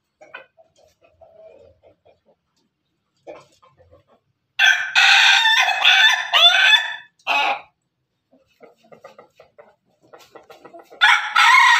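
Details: Pelung and Ketawa chickens crowing in company; quiet scattered clucks precede a loud, long, rasping crow, a short stuttering tail, more soft clucking, and another loud crow starting at the end.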